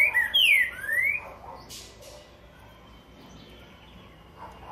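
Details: Green-winged saltator giving the curricutil boi song type: a short burst of loud, clear slurred whistles in the first second, rising and falling, followed by quiet background noise.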